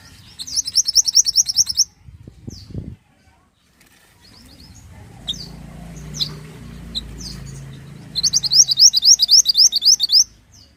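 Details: Pied bushchat singing, used as master song for training songbirds: two bursts of fast, high repeated chirps, each about two seconds long, separated by a quieter stretch with scattered thin call notes and low rumbling background.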